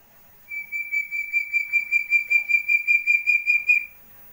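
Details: Chestnut-bellied partridge chick, West Java, repeating a high, level whistled peep about two and a half times per second, roughly sixteen even pulses, with a quiet background.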